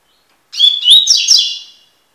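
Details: Tui tui song of a Double-collared seedeater (Sporophila caerulescens), recorded for tutoring: one compact phrase of a whistle, a rising slur and dense buzzy notes that fade out.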